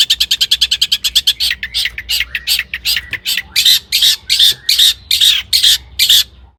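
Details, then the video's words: Long-tailed shrike (cendet) song meant to provoke other shrikes into singing: fast harsh high ticking notes that slow into longer raspy, buzzy bursts with brief whistled inflections. "Kicau cendet gacor FULL MATERI MEWAH,, BUAT PANCINGAN CENDET AGAR BUNYI jadikan BURUNG PENTET GACOR"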